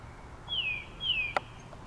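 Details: Male Northern cardinal singing to his mate: two clear, downslurred whistles about half a second apart, followed by a single sharp click.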